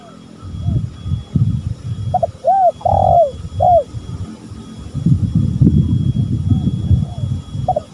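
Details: Male and female spotted doves calling as a lure. One clear phrase of short arched coos and a longer drawn note sounds mid-clip, with low rumbling noise before and after and a faint coo at the end.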